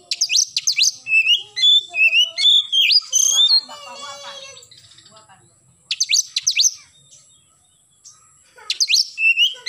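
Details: Morning 'gacor nembak' song of an oriental magpie-robin: sharp downslurred chips and sweet whistled notes, a rattling trill in the middle, then more bursts of steep falling notes after a pause.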